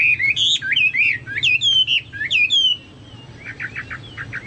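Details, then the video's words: Chinese hwamei in energetic full song, said to sound like cucak Papua or cucak mas: loud, varied whistled phrases that slide up and down, then a softer rapid run of short repeated notes. "burung hoa mi seperti cucak Papua atau cucak mas gacor"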